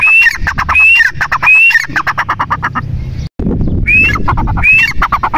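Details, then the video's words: Grey francolin calling loudly: repeated rising whistled notes about once a second, each followed by harsh squawky syllables, over a strong rough background noise, with a brief dropout after three seconds. "Titer Voice | Teetar Bird | teetar ki awaaz | Mada Teetar Ki Awaz"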